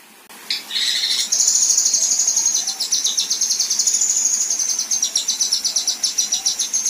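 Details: Female Kinoi giving besetan and rough tembakan song: a few harsh buzzy bursts, then a long, very high, rapid trill of sharp repeated notes, about four per second, slightly rising and falling, with faint background hiss.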